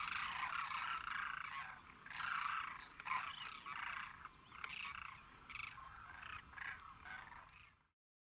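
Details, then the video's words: A flock of Demoiselle cranes calls together in a dense chorus of overlapping hoarse, croaking trumpets, about four notes a second, with no pause until it fades out. "Flock of Demoiselle crane"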